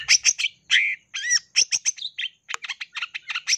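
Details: Long-tailed shrike lure song, "gacor full isian": quick bursts of clipped chirps, squeaky slurred whistles and a rising note, delivered in a rapid, irregular patter.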